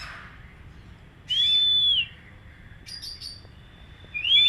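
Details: Oriental magpie-robin, used in a training routine to bring an untrained bird into song: loud, sustained, pure whistles, flat then slightly falling, separated by a brief scratchy chirp cluster, with steady low hum beneath.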